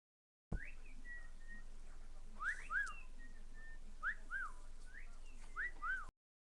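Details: Pet cockatiel on a computer desk, giving soft whistled notes that rise then fall. Heard in pairs about every one and a half seconds over a steady hiss.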